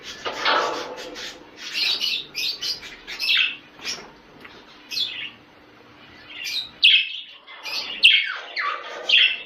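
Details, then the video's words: Budgerigars kept as pets, call used to encourage mating: scattered sharp chirps and squeaky notes in irregular groups, a quieter lull midway, then a burst of bright high squeaks. "اقوي صوت محفز للتزاوج البادجي"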